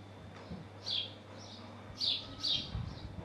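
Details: A male house sparrow calls from a roof beside his nest in Hull, UK, giving short, bright chirps around four kilohertz, irregular, a few per second in bursts, over a low background hum.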